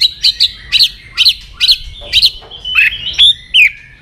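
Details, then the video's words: Provocative white-rumped shama song: bright, sharp chirped notes given in a quick, uneven series, ending with a few slurred whistles that drop in pitch. "AWAS MURAI BATU MU IKUT EMOSI"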